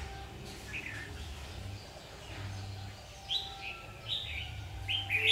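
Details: Red-whiskered bulbul recorded during bird trapping on 7 August 2019: short bright warbled phrases, rising and falling, heard four times at irregular intervals, over a steady low rumbling hum.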